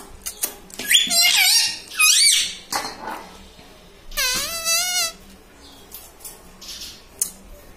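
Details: Green pet parrot, described as a ringneck, speaking taught words such as mummy, papa and radhe radhe in a room; clipped shrill phrases come in quick succession, then one longer warbling syllable before quiet clicks.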